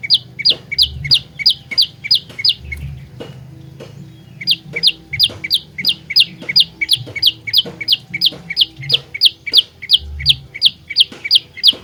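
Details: Fighter-style olive-backed tailorbird song for luring birds into traps: fast repeated rising chip notes, a brief lull around three to four seconds, then a long even series, with a low hum behind.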